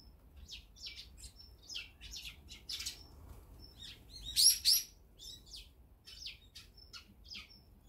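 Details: Eurasian tree sparrow feeding at great speed on seed while brown-eared bulbuls are away: dense, bright, buzzy chirps repeated several times a second, with a louder double chirp midway and thin high whistled notes between.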